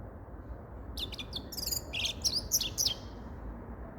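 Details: Grey-crowned goldfinch giving a short, fairly soft run of thin, high twittering notes over a steady low background hum.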